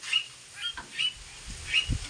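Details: Pet mynahs housed alongside pet crows give sharp, high squawks about every half second, while low thumps and handling noises sound in the background.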